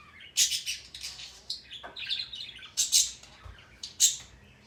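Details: Pet parrot indoors on its newly repeated sound: rapid harsh squawks and chirps, about fifty-six a minute, several loud piercing screeches standing out.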